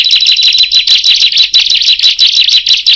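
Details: Rapid high chirping from a bar-winged prinia, with others joining in after it called. Sharp, slightly buzzy notes repeat about twice a second in a steady, bright stream that crowds together at times, with no other sounds behind it.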